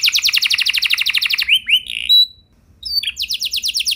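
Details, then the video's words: Canary singing vigorously, a 'luxurious song' for prompting other canaries to sing: a rapid rattling trill, a few slurred swooping notes, a short silence, then the fast trill starts again. "Kenari Gacor Lagu Mewah! Buat Kenari Mana Saja Bakalan Langsung Ikut Gacor Panjang"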